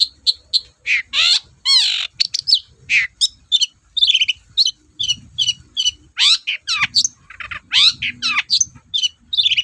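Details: Energetic long-tailed shrike song meant to provoke lazy shrikes to sing: dense mix of harsh rasping notes, descending whistles and quick ticking chips, with a faint low rumble underneath at times.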